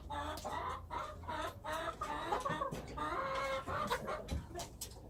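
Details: Wild chickens giving dense, overlapping harmonic clucks and short calls in quick, irregular succession, about two or three a second, over a constant low rumble.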